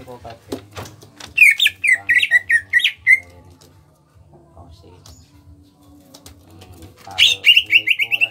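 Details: Small-bodied greater green leafbird from Kalimantan, kept caged, delivers bursts of rapid repeated sharp whistled notes, about four per second, separated by a quieter gap with a low steady tone, over a constant low rhythmic hum.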